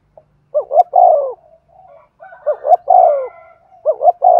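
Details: Spotted dove in the Thúc Gù cooing style, delivering rapid repeated phrases of throaty coos: two short upturned notes then a drawn-out descending coo, with faint soft murmurs between phrases.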